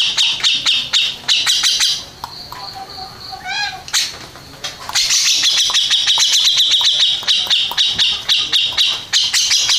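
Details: First-place contest Grey-cheeked bulbul mixing rapid scratchy chatter with a quieter passage of thin whistled and descending notes, then a dense buzzy high trill.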